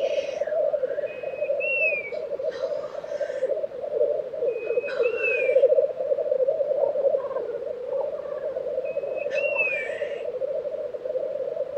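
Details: Black grouse lek in Tiveden, Sweden, April 2023: a steady low bubbling chorus underneath, with a clear upslurred whistle from another bird repeated three times, about every four seconds, alongside rough hissy bursts.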